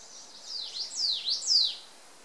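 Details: Ijima's leaf warbler singing near the Akakokko nature centre: three high, clear notes, each dipping and rising again in a sweeping V shape, spaced roughly half a second apart, with quiet background.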